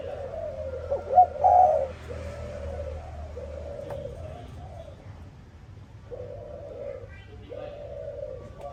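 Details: Spotted dove calling in the morning: a series of low, hollow coos, some short and some drawn out, with a brief louder burst near the start and soft background rumble throughout.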